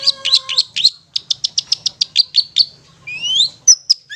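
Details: Ngetet song of a long-tailed shrike for prompting stressed or silent birds: a steady series of about a dozen evenly spaced high chips, followed by a rising whistled slur and sharp descending notes.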